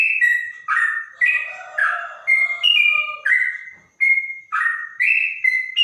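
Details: A bonang trotok, said to sound like a straw-headed bulbul, gives separate bright whistled phrases with short gaps between them, some notes held flat, others dropping, plus a faint lower tone in the background.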